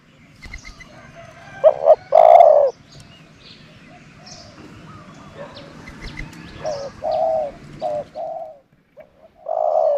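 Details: Cooing from a decoy dove used to attract other doves. Short low notes lead into a sustained coo. Quieter, broken phrases follow later, and soft background chirping runs throughout.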